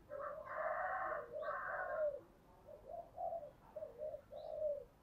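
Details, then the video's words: Spotted dove used as a lure, giving a loud rough coo followed by a run of softer, evenly spaced hollow coo notes, with faint high chirps from other birds. "Chim cu gáy chơi đủ bài thúc gù gáy gọi"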